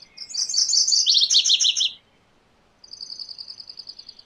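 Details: MacGillivray's warbler sings a loud two-part phrase: quick high churring notes that step down into a lower run of slurred notes. A separate thin, even trill follows after a short pause.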